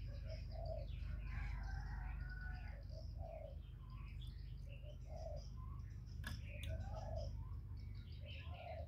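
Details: Low rounded coos from a decoy spotted dove contesting a wild bird, repeated in loose phrases roughly every second, with busy high chirps of other birds and a few clicks in the background.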